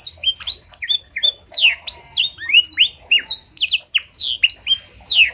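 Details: Blackthroat-filled canary song with a clear voice, serving as a master and lure recording. Continuous bright, high whistles slide up and down in quick, varied phrases, with brief gaps between bursts.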